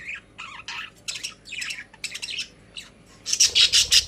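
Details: Pet budgies in a cage: a series of separate short squawks and chirps, some rising or falling in pitch, roughly three per second, ending in a louder harsh burst of chatter.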